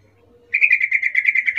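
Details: Wild yellow-vented bulbul recorded in nature, a lively, active bird. After half a second of quiet, a rapid run of buzzy chattering notes starts and repeats about six times a second at a steady mid-high pitch until the end.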